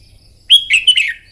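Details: A bulbul practising fiery contest song in the morning: after a pause, one loud whistled note starts a brisk, jumbled string of bright chirps and slurs that trails off softly.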